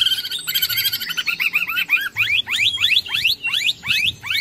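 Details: Greater green leafbird singing a long, full, chattering song: rapid bright notes at first, then a run of sweeping upslurred whistles repeated about every third of a second.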